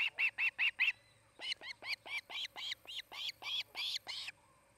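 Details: Osprey at the Charlo, Montana nest of a breeding pair; a quick burst of five loud whistled chirps, a brief pause, then a longer, looser run of sharp calls that varies in loudness.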